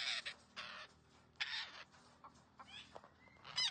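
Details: Green parrot giving harsh, raspy squawks in short bursts, separated by brief gaps, with a few thin rising whistles and a sharp squeal at the end.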